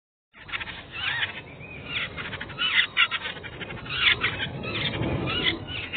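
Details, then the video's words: Jungle babbler chicks in the nest begging for food in breeding season, mother nearby: a continuous harsh, wheezy chorus of overlapping rasping calls, with a few brief rising squeaks breaking through. "Chicks of Jungle Babbler giving Begging Calls"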